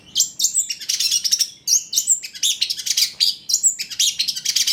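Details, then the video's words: Cendet trotol, a Long-tailed shrike, in a full mimicry-rich song used as a lure; bright chattering bursts mix with quick upslurred whistles and buzzy trills in uneven phrases. "PANCINGAN CENDET TROTOL AGAR BUNYI, MASTERAN CENDET GACOR FULL ISIAN"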